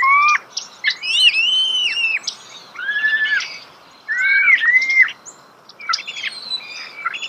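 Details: Starling singing close up in nature, giving clear slurred whistles that rise and fall in arcs, some doubled, between bursts of high clicking chatter, with brief quiet gaps between phrases.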